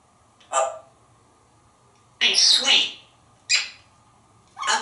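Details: A talkative male African grey parrot, hatched in 1997 and kept in a Texas home, speaks while perched atop his glass castle. He gives four short word-like bursts, the second longer and harsher, separated by pauses, indoors.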